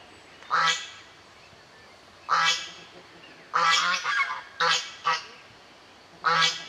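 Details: Family group of African geese: loud, harsh, nasal honks given singly or in quick pairs, six bursts spaced one to two seconds apart over a quiet background.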